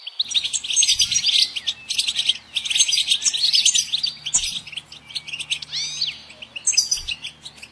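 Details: Loud, buzzy goldfinch song, bursts of fast jingling twitter and rolling trills broken by short pauses, ending with arched, slurred notes; a faint low hum underneath.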